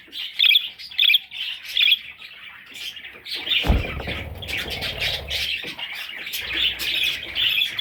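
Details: Three loud, harsh parrot chick calls stand out at the start, followed by one thud and then continuous soft, high twittering from the young birds.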